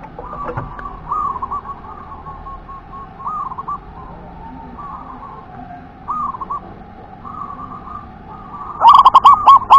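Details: Local zebra dove from the wild singing a run of rolling, trilled coo phrases repeated every second or so, with a brief clatter at the start and loud, harsh rattling bursts at the end.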